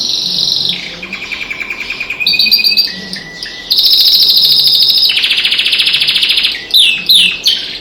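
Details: Pet canary singing along with other birds outside the window: a varied song of rapid pulsed trills, some high and buzzy, others lower and rattling, switching abruptly between tours with short pauses.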